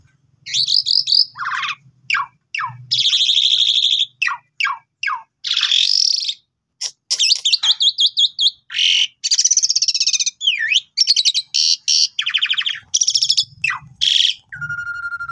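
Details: Asian pied starling, or jalak suren, pumping out continuous song as a master for training birds: dense mix of sharp clicks, rasping buzzy phrases, falling whistles and chattering runs, closing on a flat whistle.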